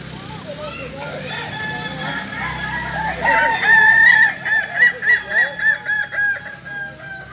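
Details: Kokok Balenggek rooster from Solok, West Sumatra, whose crow climbs in tiers, three to nineteen or more: a sustained ringing note opens, then about eight short, evenly spaced stepped pulses follow, with other crowing faintly behind.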